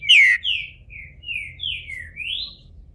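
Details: Green-winged Saltator, captive and bald while leaving moult in Brazil, gives one sharp falling whistle followed by a chain of softer slurred notes ending in a rising whistle.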